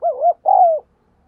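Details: Spotted dove decoy coo meant to challenge wild doves: a dipping, wavering double note, then after a short gap a sustained, smooth coo that slowly falls at the end.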